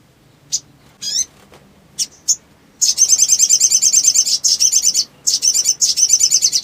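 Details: Black sunbird, excited and fluttering its wings, used as a lure to get silent birds singing: scattered thin high notes and a descending whistle, then a dense run of fast buzzy high trills broken by short gaps.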